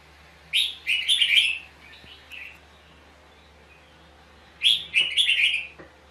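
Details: Red-whiskered bulbul duel singing during a fight at a trap. Two energetic phrases of fast, slurred whistles, the first trailing into softer notes, with about three seconds of near quiet between them.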